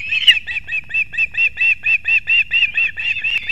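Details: In Kurzeme, Latvia, 6:40 am on 3 September 2024, an osprey male brings two fish to the chicks at the nest. A rapid, regular string of clipped high piping notes, roughly four each second, over low background noise.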